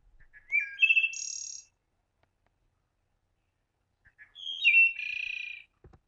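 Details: Wood Thrush song replayed from birding software: two flute-like phrases about four seconds apart, each of soft lead-in notes and clear notes on slightly different pitches closing in a high complex trill, with silence between.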